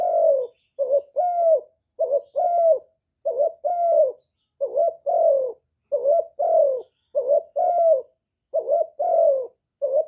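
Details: Steady run of spotted dove coos meant to rouse decoy doves, mixing calling, urging and cooing styles. Around a dozen quick pairs of mellow notes, short then longer and falling, with few gaps.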